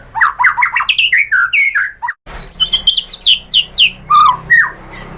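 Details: White-rumped shama singing to provoke rivals into song: quick rising and falling whistled notes, a short break, then a burst of sharp descending high slurs and a few lower liquid notes.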